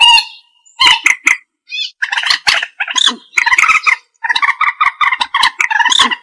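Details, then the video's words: Common moorhen (Gallinula chloropus), a recording used for trapping, gives harsh, croaking clucks in quick bursts, some run together into short chattering series, with brief pauses between groups. "Tiếng chim Trích Ré(Kịch) | The sound of the bird Gallinula chloropus"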